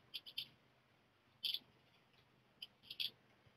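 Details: Black redstart chicks fledging from the nest, leaving it one after another, give short, high, thin calls in quick clusters of two or three, spaced about a second apart, over a quiet low hum.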